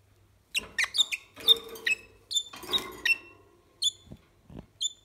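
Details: Pet red-rumped parrot (Psephotus haematonotus) named Felek, kept in Poland, gives sharp, high, squeaky chirps in quick irregular bursts of about a dozen notes, with a couple of soft clicks near the end.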